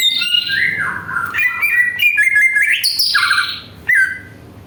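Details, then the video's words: Greater green leafbird pouring out a lure song to provoke other birds: rich, continuous whistling that glides down, climbs in steps, then leaps to a high note before dropping again. "PANCINGAN CUCAK IJO BIAR EMOSI JAMTROK"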